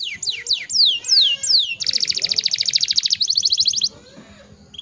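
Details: Canary song meant to coax other canaries into singing: a few loud falling sweeps, then a rapid buzzy trill of evenly spaced notes, ending quietly with a short whistle; faint low background clatter.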